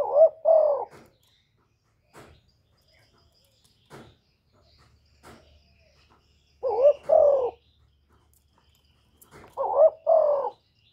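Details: Spotted dove from Cà Mau, recorded cleanly as a lure to stir up decoy birds: hoarse, two-part cooing phrases delivered three times across eleven seconds, with faint soft clicks in the quiet gaps and no other noise.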